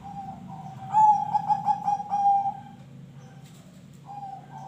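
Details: Zebra dove song: soft cooing leads into a loud run of rapid, bubbling stuttered coos lasting about two seconds. A quieter coo follows near the end, over low background hum.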